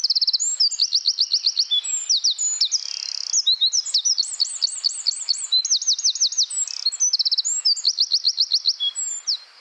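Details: Troglodytes troglodytes, the Eurasian wren, in the Czech Republic: a long, powerful, high-pitched song of rattling trills, buzzy bursts and sharp notes, delivered at great speed with barely a pause throughout.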